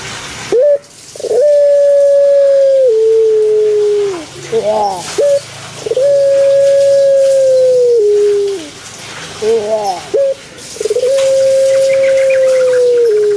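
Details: Kept Barbary dove (puter pelung), Java, Indonesia: three long drawn coos in a row, each opening with a quick upward note, holding a steady tone and ending lower, separated by brief gurgling 'geruk' sounds.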